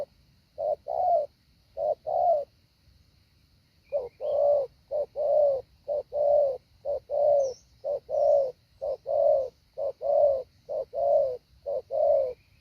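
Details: Spotted dove decoy rehearsing hạ bổi calls: two coo pairs, a pause of about a second and a half, then a long run of steady two-part coos, each a short note and a longer hollow one, with a faint background hum.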